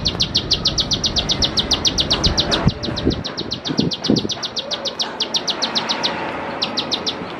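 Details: Bar-winged prinia, used as a teaching lure for young birds: quick, sharp, repeated high notes in a steady series that pauses briefly near six seconds. A few knocking handling sounds come through midway.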